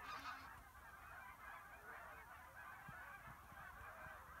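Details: Canada geese during spring 2023 migration along the east banks of the Missouri River near Platte, South Dakota; a dense chorus of many distant overlapping honks, one nearer honk at the start.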